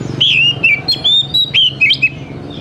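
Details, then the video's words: Oriental magpie-robin, a young forest-caught bird, singing as a lure for young birds: a rapid run of clear, slurred whistles, each short note rising or falling, about eight phrases in under three seconds over a faint low hum. "SUARA PANCINGAN DASAR UNTUK KACER BAKALAN MUDA HUTAN TROTOLAN AGAR CEPAT BUNYI"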